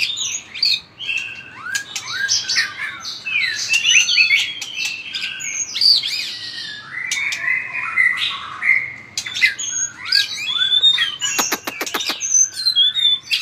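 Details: White-rumped shama singing hard in fighting style while flicking its tail strongly: a long, rich stream of varied whistles, slurred upward and downward sweeps and sharp high notes, broken by a burst of clicking near the end.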